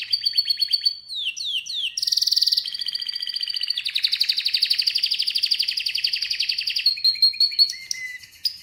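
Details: Varied canary song: quick trill, a few sweeping whistles, a harsh buzzy burst, then a long steady rattling trill of fast repeated notes and closing chirps.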